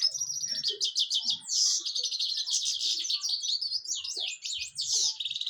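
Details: European goldfinch singing: a continuous, rapid liquid twitter of bright, tinkling notes and buzzy trills, fast and unbroken for over five seconds, with almost nothing in the low range.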